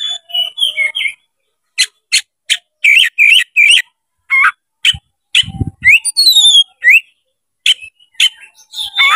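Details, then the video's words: Oriental magpie-robin (kacer) spreading its tail, used as a lure to provoke a rival into fighting and singing hard. Loud, varied bursts of whistled and harsh notes separated by brief gaps, with rising slurred whistles and a dull low thump midway. "MENCARI LAWAN TARUNG KACER CEPAT GACOR DALAM HITUNGAN MENIT DIPANCING KACER BUKA EKOR INI"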